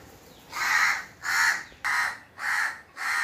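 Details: Crow cawing rapidly, five rough, grating calls in quick succession about two per second, loud and bright with noisy upper tones, over a light background hiss.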